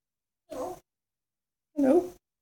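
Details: Captive African grey parrot mimicking other animals, giving two separate cat-like meows, each a nasal wavering cry under half a second long, about a second apart.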